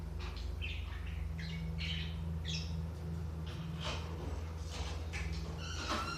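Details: Budgerigars in a recording meant to stimulate inactive budgies give scattered short high chirps and squeaky notes in loose bursts, a few more whistled at the end, above a constant low hum.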